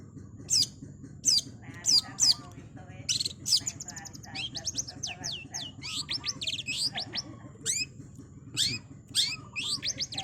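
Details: Long-tailed shrike singing a 'super speed' masteran phrase: a few harsh rasps open into a rapid run of varied, high squeaky and whistled chirps. A faint lower trill and steady hum run beneath.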